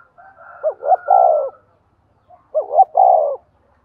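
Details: A decoy spotted dove gives its morning lure call to attract wild doves. Two back-to-back phrases of two brief rising hoots and a sustained, slightly falling coo, with a soft overlapping tone under the first.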